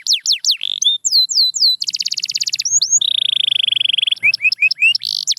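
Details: Varied canary song for singing practice: downward whistles, a fast buzzy roll, a long, steady, rapid trill, then clipped rising and falling notes ending in a short warble.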